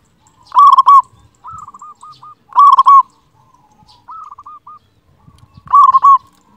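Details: Zebra dove, a local bird kept as a master singer to stir quiet birds into singing: loud rolling cooing phrases near one pitch, each burst of rapid pulses followed by softer trilled coos, repeating about every two seconds.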